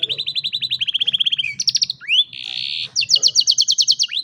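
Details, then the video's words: Singing canary used to train young birds, cellphone recording: even rapid trills of repeated notes around a dozen per second, a short rising slide, a buzzy churr, then a fast higher trill. "Canary Singing"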